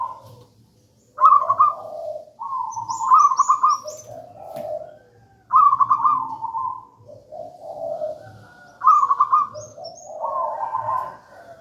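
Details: Local zebra dove singing in the gedang rojo style, meant as master song and lure for other doves. Repeated phrases of bright quavering coos trailing into lower rolling notes, with faint high chirps from another bird above.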